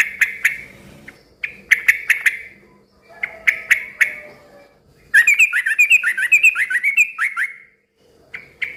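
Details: Yellow-vented bulbul in noisy song that other bulbuls tend to answer. Clusters of sharp chirps open the clip, then a lively two-second burst of rapid, bubbly rising and falling notes, ending with single chirps.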